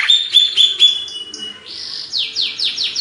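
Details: Indonesian greater green leafbird of Banyuwangi origin singing. Sharp, high chips open the song, followed by a rising whistle and a series of four or five quick, downward-slurred whistled notes.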